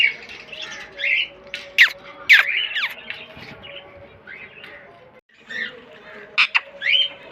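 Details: Green pet parrot giving a quick, irregular stream of harsh squawks and sharp chirps, nearly two per second, over a low steady hum, with a short gap midway.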